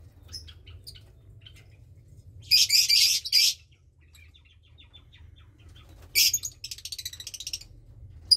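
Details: Lovebird chick near 20 days old from a Parblue Turquoise and Euwing Blue Opaline pairing, two chicks in the nest; two loud hoarse rasping bursts separated by quiet, a faint trailing stutter of high pulses, low hum throughout.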